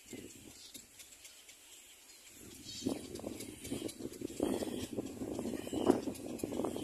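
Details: Little black cormorant bringing food to feed its chick; after a quiet start, harsh, rasping pulsed calls build up in rapid bursts over a steady low hum.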